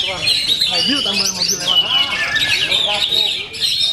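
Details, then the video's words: Oriental magpie-robin delivering powerful competition song: bright whistled phrases and busy high twittering, with a short rising whistle and a brief pause near the end. "OMEN KACER FULL POWER"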